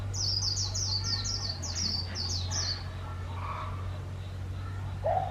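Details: Decoy white-eye, a trapped bird used for trap-fighting, singing its líu style: a quick run of about ten high, sharply falling whistled notes in the first three seconds, then fainter lower calls, with steady low hum beneath.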